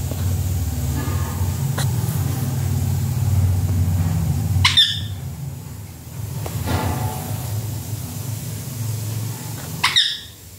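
A rose-ringed parakeet gives two harsh, rasping screeches about five seconds apart over a steady low rumble, with a few faint clicks between.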